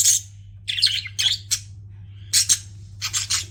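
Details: Pet budgies chattering in short, harsh, high bursts: a cluster of scratchy chirps, a pause, then quick paired and triple notes, with a steady low hum.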